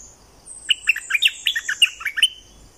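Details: Lively song of a streak-eared bulbul from southern Thailand: quick, liquid chirping notes tumbling in a short burst, over a faint, continuous high-pitched whine.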